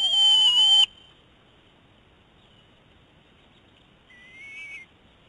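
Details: An eagle whines on the nest while a male keeps his prey from a young female; one loud shrill whistled note breaks off sharply, followed after a quiet gap by a softer, shorter whine.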